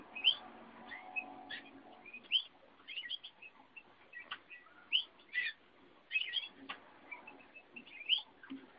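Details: A Eurasian bullfinch × canary hybrid, recorded 30 April 2011, gives short, bright, high, varied whistled chirps and twitters in quick bursts every second or so, with a faint low hum underneath.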